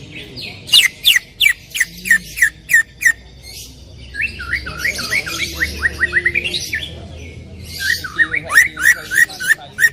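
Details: Cucak ijo, the greater green leafbird, singing a loud full 'tembakan' song meant for training other birds. It opens with rapid, evenly spaced sharp downslurred notes, then a jumbled run of rolling chirps, then another burst of quick clipped whistles.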